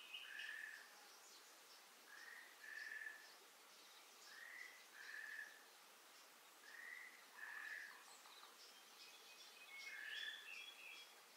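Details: On Amami Ōshima island, Japan, an Amur falcon gives short, thin paired notes about every two seconds over a steady hiss, with faint higher chirps from other birds.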